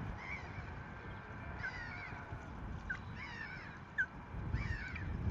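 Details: Osprey at a nest in Rutland on 14 March 2024, during a disturbance as a female drives off an intruding female after the male brings a fish: repeated sharp, whistled, slightly rising chirps, several a second at times, over steady wind rumble.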